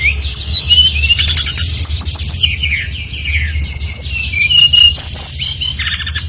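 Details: Brown-chested jungle flycatcher, Bali-type lure bird singing hard: dense cascade of descending whistles and rattling high trills, followed by pure level notes and sharp chips, continuous low background hum.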